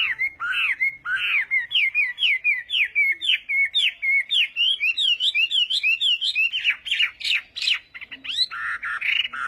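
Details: Chinese hwamei performing its morning practice song, a long, lively sequence of fast looping whistled notes, around two per second, turning into V-shaped slurs and finishing with louder harsh, scratchy bursts.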